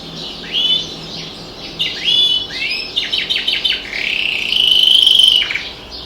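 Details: Caged canary singing beside a window with other birds audible outdoors: rapid rising sweeps, a quick series of clicking chips, then a long sustained whistled trill that swells loudly before ending in a downward slide.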